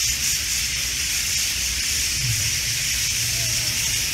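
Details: A huge evening flock of White-cheeked Starlings gathered in street trees on Green Road, Kochi city, gives a steady hissing roar of harsh chatter and squeaks, with faint loudspeaker street-speech murmuring underneath that the birds seem to ignore.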